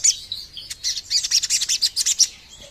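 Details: Sogon bird calling, played as a lure: a rapid, even series of about a dozen high, bright chirps delivered in under two seconds, ending in a faint trailing note.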